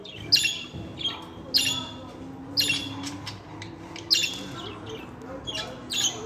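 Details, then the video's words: Pet budgerigars making sharp scratchy chirps about once a second, each a brief rasping burst, over a soft low background murmur. "KONUŞAN MUHABBET KUŞLARI ÖTME SESİ"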